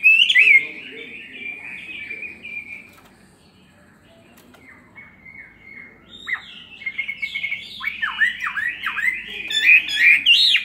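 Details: Caged Chinese hwamei, two years in the cage, giving its fighting song: loud, varied whistled phrases and slurred notes at the start, a quiet gap, then rapid repeated downslurred whistles that build in loudness toward the end.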